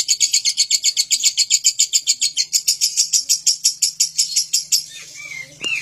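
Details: Talkative lovebird giving a long ngekek run: nearly five seconds of rapid, steady high-pitched pulsed chattering, ending with a couple of short rising squeaks.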